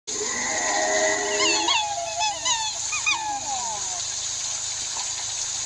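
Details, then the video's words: Australian black swan giving a run of high, musical bugling notes that bend up and down, several in quick succession, over a steady background hiss. "Black Swan Sound"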